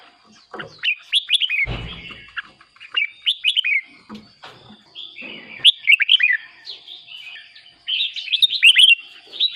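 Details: Red-whiskered bulbul kept caged as a decoy, singing to excite other birds: four groups of fast, cheerful whistled notes rising and falling, separated by short pauses, a thin high whine underneath.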